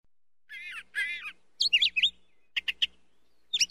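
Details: Brown thrasher song: a pair of matching rich warbled phrases, each repeated twice, then sharper downslurred notes and quick clipped chips, all bright and high, over a faint low hum.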